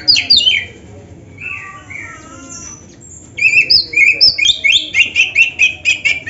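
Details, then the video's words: Oriental magpie-robin, the black-breasted kacer, delivering rich 'isian' training song with imitations: descending whistles and soft warbles, then a fast regular series of bright two-part chirps repeated about twice per second. "Suara Burung Kacer yang cocok untuk Latihan"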